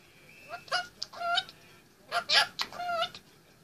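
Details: An 18-month-old male Indian ringneck parakeet talking indoors on top of his play stand, giving a few short voiced, speech-like syllables with ringing overtones and pauses between them.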